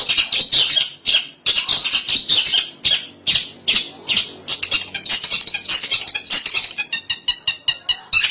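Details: Long-tailed shrike calls played as a trapping lure: rapid series of loud, grating squawks repeated more than twice per second, rough and high-pitched, ending in quicker clipped ticking notes.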